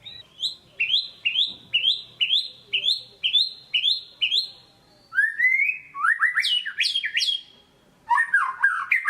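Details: White-rumped shama, a kept songbird, singing a lure song meant to rouse lazy birds: a run of about ten rising whistled notes near evenly spaced, then a brief pause and a varied burst of sweeping, tumbling whistles.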